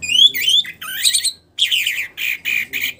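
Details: Post-moult captive orange-headed thrush in full voice. Loud, dense whistling runs of rising and falling slurred notes follow one another with brief pauses, ending in three quick clustered bursts.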